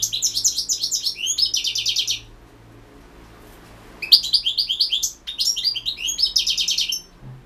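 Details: European goldfinch singing in a 2016 world championship entry, with two long runs of quick, liquid, high-pitched twitters and trills split by a two-second silence, over a steady faint hum.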